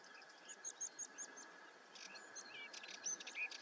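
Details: Common ringed plover: a series of short, high, clipped whistled notes, followed by brisk chirps and a rising whistle, over a steady background drone.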